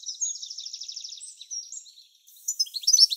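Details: Goldfinch pair at the nest during incubation, summer: a high rapid trilled series fading out, a short pause, then a renewed burst of sharp tinkling twitters.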